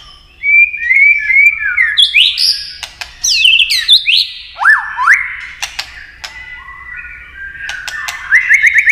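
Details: White-rumped shama singing hard in a competitive style with tail-flicking. Quick whistled notes lead into loud rising and falling slurs and crisp clicks, followed by softer warbling and a closing burst of rapid upslurred notes.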